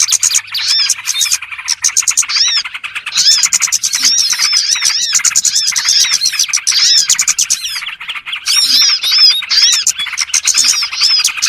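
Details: Trapping lure of small birds: many birds twitter at once, with rapid high chirps, arched whistled notes and sharper squeaky calls standing out near the end.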